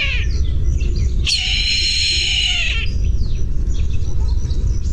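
A Brahminy Kite gives one drawn-out, wheezy, quavering cry of about a second and a half, over a steady low rumble with faint chirps before and after.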